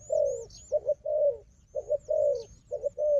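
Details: Fighting wild dove answering a decoy dove: deep coos in two runs, each a short broken note then a long level coo, separated by a brief pause, faint high whistling birds in the background.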